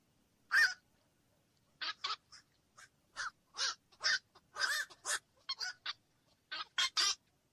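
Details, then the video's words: Black-crowned night heron: short, harsh, croaking squawks, about fifteen separate notes scattered irregularly over seven seconds, some doubled, with a quiet background. "SUARA BURUNG KOAK MALAM"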